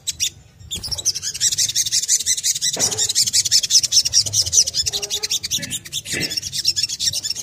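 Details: Crimson sunbird delivering ngriwik kemrecek song to set other sunbirds singing: a sustained, rapid, shrill chattering trill of high notes, nearly three per second, running for several seconds with faint low noise.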